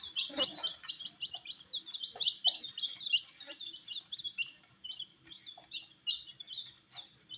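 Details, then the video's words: Tiny colored chicks feeding on wheat, peeping constantly in short, sharp, slightly downslurred notes, several chicks at once, with pecking clicks mixed in. "Colors MURGI baby Chicks are eating "wheat Challenge" with "Chicks Chirping" Sounds"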